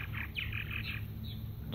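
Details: Purple martins (Progne subis) at backyard martin houses and gourds give a run of short, gurgling chirps in quick succession over a steady low background rumble, with a rooster somewhere nearby.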